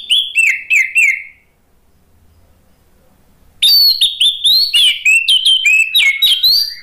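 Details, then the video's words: Bait song of an orange-headed thrush, meant to get silent birds singing again: a few quick falling whistled phrases, a pause of near silence, then a fast run of varied, squeaky, looping high notes. "SUARA ANIS MERAH bikin ikutan NYAUT NGEPLONG GACOR ¦ PANCINGAN AM ¦ TERAPI MACET"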